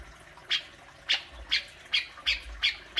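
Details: Besetan from a grey-cheeked bulbul (cucak jenggot), intended to set off kept birds: six or so broad, rough squawks spaced about half a second apart.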